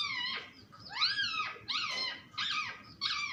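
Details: Pet parrot talking nonstop: five loud, harmonic, arching syllables, each swooping up then down, spaced about half a second apart, with quiet room background.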